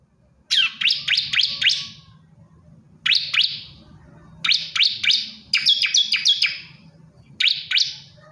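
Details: Bar-winged prinia male calling for a female, repeating short bursts of bright, piercing chirps that drop in pitch, several notes per burst, spaced two to three seconds apart against a quiet humming background.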